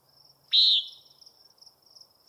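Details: Common nighthawk gives one loud, harsh, buzzy nasal note lasting about a quarter second, followed by a second call cut off at the very end. A steady high insect trill runs through the whole recording.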